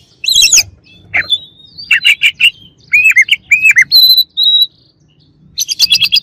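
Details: Oriental magpie-robin singing to provoke a rival: a rich medley of chattering notes, a run of rolling slurred phrases, pure high whistles, then a fast burst of trilled chirps.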